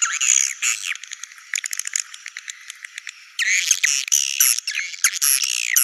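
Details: Swiftlet sounds meant to lure birds to nest sites: brief twittering, then a long train of quick dry clicks, followed by renewed bursts of harsh, buzzy chirping.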